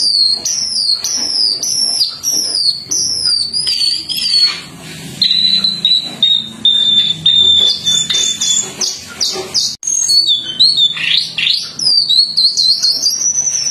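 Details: A Jongkangan on a training recording for teaching other birds sings a fast, high run of sharp whistled and chattering notes, with sweeping slurs and quick trills, almost without pause.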